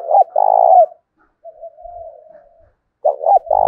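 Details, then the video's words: A decoy spotted dove challenging another male to fight, in the 'thổ đồng' voice style: a loud, rolling double coo, then a long, soft, wavering murmur, then another strong coo starts. "cu gay kich boi nhanh noi gù"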